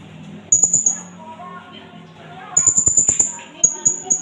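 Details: Indonesian blue-crowned hanging parrot calling for use as a bird lure and tutor recording. A short burst of shrill high notes, a pause, then a longer fast string of sharp chips, with faint mosque loudspeaker chanting behind.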